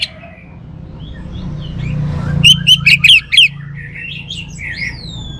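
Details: Orange-headed thrush singing: after a quiet start with soft chirps, a run of five loud, clear whistled notes, each rising then falling sharply, followed by softer warbled and slurred whistles fading out against faint low background hum.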